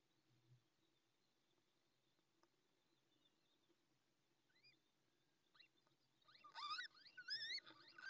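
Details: First Little Owl chick, hatched minutes earlier and still wet, in a nest at La Moraña, Ávila, Spain, 20 May 2024, calling while the female is away; faint background hum, then a run of loud rising squeaky peeps near the end.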